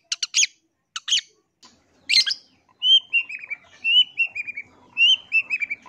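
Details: Lure song of a long-tailed shrike meant to make other shrikes respond: a few harsh chattering bursts, then a series of clear, slurred whistles falling in pitch, given in short groups.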